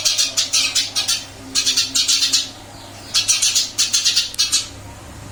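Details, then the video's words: Caged Eurasian tree sparrow, moved to a new cage yet still vocal, giving bursts of quick, harsh chirps in clusters of four or five, with brief gaps between them. "Burung gereja pindah sangkar Alhamdulillah tetap gacor mase"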